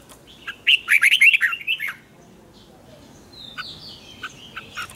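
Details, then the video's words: Red-whiskered bulbul singing a morning training song in the tense 'double twisted' style, meant for tutoring other birds: a rapid run of loud warbled, twisting notes for about a second, then fainter scattered chirps. "luyện chào mào hót sáng hay nhất 2020, Âm kép xoắn căng, cách luyện chào mào hót căng lửa"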